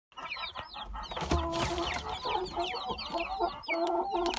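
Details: Mixed Gold Brahma and Silver Wyandotte chicks peeping together: many high, sharply falling cheeps overlapping constantly, with a few lower soft clucking notes underneath.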